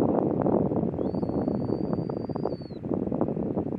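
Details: Adult Caspian tern with its juvenile at Waikanae estuary, calling: a single thin, steady high whistle held for under two seconds and dropping at the end, over heavy rustling, rumbling background noise.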